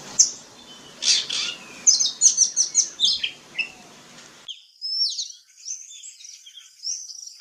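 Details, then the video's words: Seychelles magpie-robin in a garden, recorded 31 March 2025, giving bright, high whistled and chirpy phrases in quick uneven bursts, some notes sliding up and down; soft background hiss in the first half. "Seychelles Magpie Robins Bird"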